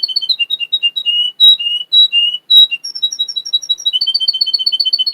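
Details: Russian canary, bred in Miami, Florida, sings slurred whistled notes in an uneven sequence, then breaks into a fast, bright trill of repeated chirps that speeds up toward the end.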